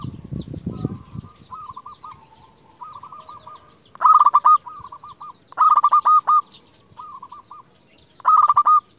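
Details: Zebra dove of the local type, a persistent caller used as a lure for rival doves. Three loud, stuttering, buzzy bursts, each followed by soft rolling coo series. Some rustling at the start.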